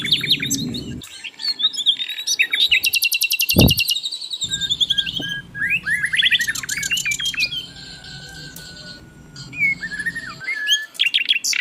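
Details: Asian brown flycatcher in full, continuous song for training caged birds: dense high chattering, fast trills and sharp slurred notes, over a background hum that comes and goes.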